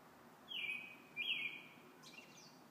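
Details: Robin singing in the evening: two clear whistled notes, each sliding down from high to a level tone and held about half a second, about half a second apart, then a fainter higher warble, over soft background hiss.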